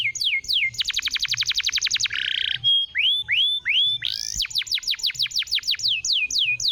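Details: Canary song for stimulating a canary that has stopped singing: quick descending notes, a fast rolling trill, a short buzz, rising slurred whistles, then brisk repeated downward sweeps.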